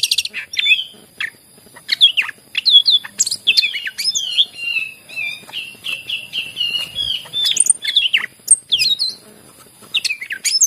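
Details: {'text': 'Greater green leafbird singing steadily, offered as a prompt for birds that seldom sing. Chattering high notes run into a long series of repeated slurred whistles, followed by scattered sharp chirps.'}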